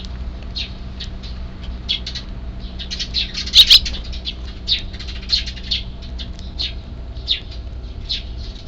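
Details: Sparrow chicks in a neighbourhood, unseen, calling just before evening feeding on 3 April 2024: short high chirps repeated steadily every half second or so across the recording, with a louder double chirp near the middle, over a low background hum.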